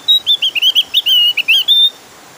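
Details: Javan grey-throated white-eye, a lure recording to coax others into singing: a brisk run of about a dozen bright, high whistled notes, wavering and slurred, ending on a long steady tone.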